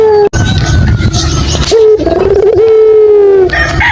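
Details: Ringneck dove (puter) lure call meant to draw silent doves into calling: a single long, even coo with a small wobble near its start, over a busy background hum.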